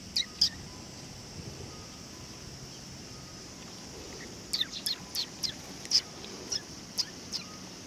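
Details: Sparrows approaching to be fed at a Tenmangu shrine on 18 August 2020; two quick chirps open, then after a pause a rapid string of about eight high chirps, under steady hiss.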